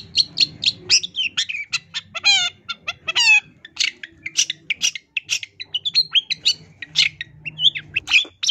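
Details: Long-tailed shrike, a caged-bird training recording from 2022 sung in full 'isian tambakan' style: rapid varied chattering and squeaky notes, two bursts of stacked descending harmonic calls near the middle, over a low mechanical hum.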